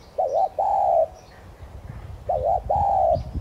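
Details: Spotted dove, tigrina subspecies, kept as a decoy bird and calling thúc gù to stimulate singing: two identical coo phrases roughly two seconds apart, each a quick double note then a long flat-to-falling note.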